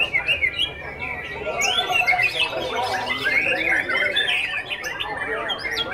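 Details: Young Oriental magpie-robin in full performance, pouring out fast, jumbled chirps, squeaky notes and scratchy trills in a continuous, energetic stream with no clear gaps.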